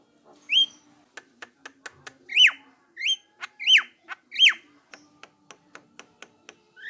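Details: Javan myna song used to coax other mynas into answering: loud, sweeping whistles that rise and then drop, alternating with rapid dry clicking ticks, on a quiet background with a faint steady tone.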